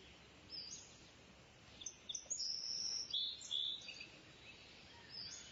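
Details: Kingfisher call: shrill, high-pitched whistles and brief piping notes in uneven clusters, louder around the middle, with a quiet hiss of background noise throughout.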